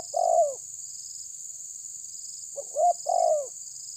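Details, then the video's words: Spotted dove challenging a rival in the tabir style: a lone long falling coo, a pause, then a short note and another drawn-out downslurred coo, with a constant high hiss behind. "Terkukur menekan lawan bikin emosi ~TERKUKUR TABIR"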